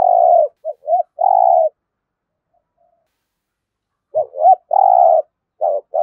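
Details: Spotted dove from Đồng Nai, Vietnam, giving gù đấu competition coos in thổ voice: long coo, short notes and a second long coo, a silent gap, then a double note, long coo and a fresh phrase starting.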